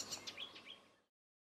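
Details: Icterine warbler (Hippolais icterina) singing on 20 May 2014 in a wooded hedgerow by the Koreabosje near Midsland, Terschelling, in spring: about a second of quick, varied high chirps and squeaky slurred notes, faint outdoor background.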